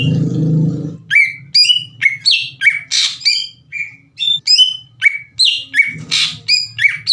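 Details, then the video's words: Greater green leafbird singing energetically as a lure to stir up other leafbirds: rapid phrases of bright, slurred whistles and sharp chattering notes, each burst about half a second apart, with a low hum only in the opening second. "PANCINGAN CUCAK IJO GACOR CEPAT MENAIKAN EMOSI CUCAK IJO LAIN"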